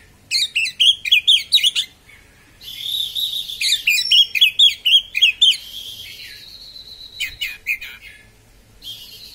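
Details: Oriental magpie-robin (kacer) singing loud, sharp, rapid phrases used to provoke other magpie-robins: bursts of high chattering, slurred whistles repeated quickly in two runs, with a sustained thin whistle between phrases.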